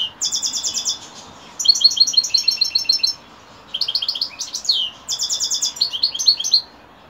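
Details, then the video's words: Evening song of a European goldfinch, delivered in four separate bursts of fast, liquid, high-pitched twitters and buzzy trills, with short silent gaps between them. "Saka kuşu akşamüstü sefası"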